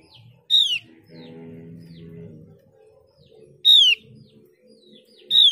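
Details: Mees's white-eye lure call for getting other white-eyes to respond: loud falling whistles recur about every three seconds, with a steady low droning hum and faint twitters in between.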